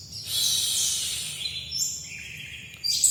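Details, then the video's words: White-eye from Bali, known locally as pleci dakun, singing a high, sweet warble of rising and falling whistled phrases, followed by shorter sliding notes and a few brief bursts. "kicau pleci dakun bali"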